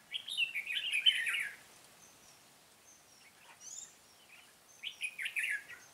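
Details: Red-whiskered bulbul ('Cánh bướm' type) during trapping, 13 March 2017; a rich warbled phrase lasting over a second, a quiet gap with faint high squeaks, then another bubbling phrase.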